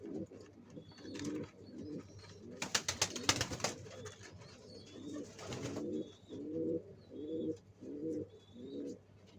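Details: Pigeons at work building a nest for egg laying; a loud rustling, clattering burst early on gives way to a run of low, rolling coos in short, evenly spaced phrases.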